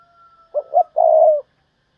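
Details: Decoy spotted dove giving a thúc bổi call: two short hollow coos run straight into one longer, purring, slightly falling coo, clear against near silence with a faint whistle before it.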